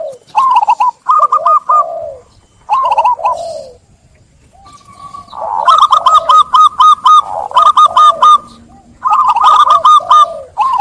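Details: Repeated zebra dove (perkutut) song phrases: short runs of evenly spaced staccato coos, each ending in a lower slurred note, delivered in several bursts over about eleven seconds.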